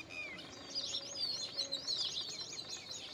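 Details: Indian pied myna giving wavering, liquid whistled notes that rise and fall, with soft chirps from other birds behind.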